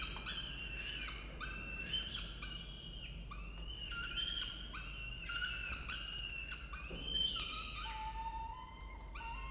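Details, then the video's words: Peregrine falcon at a nest in Orange, Australia, as the male delivers food: loud, harmonic wailing calls repeated rapidly and overlapping, some rising and some falling, with a steady low hum underneath. "Sokół wędrowny Orange Australia"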